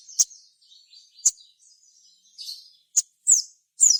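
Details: Singing crimson sunbird (sogon), used to draw other sogon into song: isolated, piercing high ticks and short downslurred squeaks at irregular spacing, linked by soft, thin twittering.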